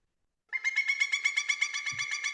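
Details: Pileated Woodpecker call: a loud, rapid series of ringing, slightly nasal yelping notes, about eight per second and level in pitch, with a faint low bump near the end.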